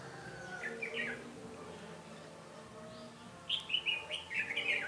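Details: Red-whiskered bulbul used as a decoy, singing to fight rivals during trapping on 13 January 2017; two bursts of warbled, chirpy phrases, a short one near the start and a longer run at the end, over a steady low hum.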